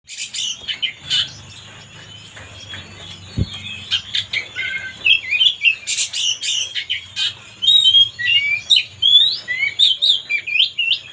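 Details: Oriental magpie-robin song played to provoke another bird: a dense run of clear whistled and warbled notes, sweeping up and down, growing louder and more rapid in the second half, with a few sharp chips and a low hum.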